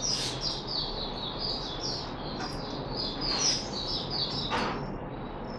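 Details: Caged red-whiskered bulbul (Puteh Raja) recorded on 13 April 2021 after being given special fruit juice and one mealworm, singing a steady run of short, bright warbled phrases over a hissy background with a few sharp clicks.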